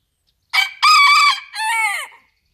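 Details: Gold porcelain booted bantam rooster crowing: a loud, harmonic-rich crow of about one and a half seconds, a short opening note, a sustained strained middle and a falling final syllable, against a quiet background.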